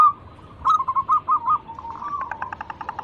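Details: Local zebra dove lure song for drawing other birds to sing: a low hum-like coo leads into several separate rounded notes, then a quicker rattling roll of short notes.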